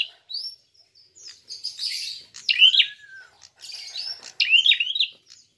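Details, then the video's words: Fighting prinia used as a lure, uttering scratchy, buzzy chirps and sharp rising notes in irregular bursts, plus one low downslurred whistle. "Prenjak tarung gacor!!"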